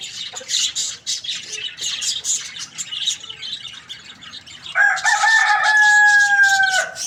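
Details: In the morning a rooster gives a loud, sustained crow lasting over two seconds, even in pitch and falling slightly at its close. It comes after several seconds of thick, high-pitched chirping by a crowd of small birds.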